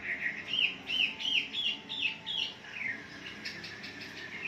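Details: Morning lure recording of a wambi for caged birds: arching, slurred notes repeated about twice a second, then softer rapid chatter fading into a quieter background.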